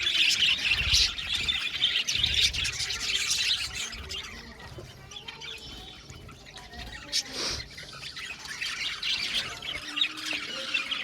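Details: Budgies in an aviary colony: loud scratchy chatter at first, fading into a softer background of twittering, with a sharp swept note midway and low rumbling noise underneath.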